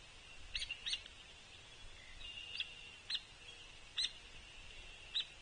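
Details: Juvenile Hairy Woodpecker in early summer (June 24, 2023) gives six sharp, high peek notes at an uneven pace over a steady hiss, begging its parent to feed it suet at a Sapsucker Woods feeder.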